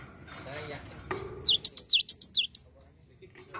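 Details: Song of a Java sparrow played to stir a lazy bird into singing: about eight shrill, falling chirps delivered in roughly one second, with a soft low note before and quiet after.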